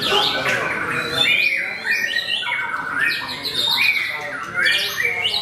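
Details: Debut white-rumped shama (murai batu) on a contest line, earning a podium finish; bright whistled phrases, sharp upward sweeps and rattling trills, continuous and crowded by other singing birds.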